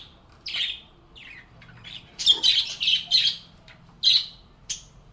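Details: Chatting budgerigars in a calm setting give scratchy high squawks and chirps, scattered at first, then a loud run of four close notes, followed by two more calls.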